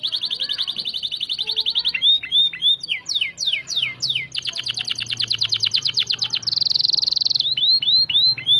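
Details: Canary singing hard as tutor recording for shamas: a pulsed high trill, looping arched whistles, steep downward sweeps, another rapid trill and a buzzy tour, finishing with repeated swooping notes.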